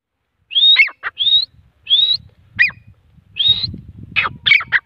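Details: A grey francolin calling in the morning gives shrill, rising whistled notes in quick repeated phrases, about one every half second, ending in harsher squeaky notes over a faint low rumble.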